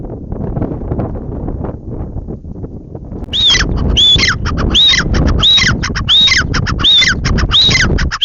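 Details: Grey francolin calling after about three seconds of low rumbling background: loud, repeated phrases of harsh notes with a clear whistled rise and fall, given roughly every 0.7 seconds in a steady run.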